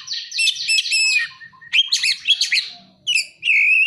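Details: Oriental magpie-robin song with borrowed prinia and sunbird calls: a quick ticking trill descending slightly, scratchy chattering notes, then a clean, sustained high whistle to finish.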